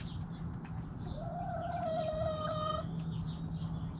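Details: Rooster among backyard chickens giving one long, even, sustained crow lasting nearly two seconds, steady in pitch with a slight dip at the end, while small birds chirp and twitter in the background over a low hum.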